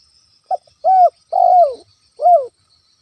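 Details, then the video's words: Spotted dove lure call used to anger a rival bird: one phrase of a clipped note followed by three full, low, slightly falling coos, with a faint high hiss in the background. "SUARA PIKAT ALAM‼️ TEKUKUR GACOR COCOK UNTUK MEMANCING EMOSI LAWAN"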